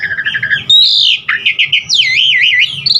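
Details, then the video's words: Varied Asian pied starling song for training caged birds: a rapid trill, a strong whistled note, a falling slur, short repeated notes and a wavering warbled whistle. "Pancingan Jalak Suren GACOR Isian Variasi Suara Burung Masteran Burung Jalak Agar GACOR Full Isian"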